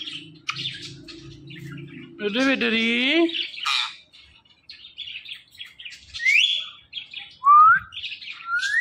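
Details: Talking pet parrot chattering: a loud, wavering, voice-like harmonic call, then scattered chirps and several sharp up-swept whistles near the end.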